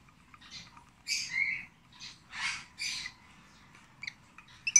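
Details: Rosy-faced lovebird chick, 26 days old, being hand-fed: several harsh, hissing rasps about a second long, separated by short pauses, with a faint low hum throughout.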